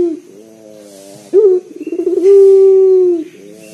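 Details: Bold-voiced local collared dove used to draw other doves into calling, purring softly, then breaking into a sharp rising note, a pulsing build-up and one long steady low coo.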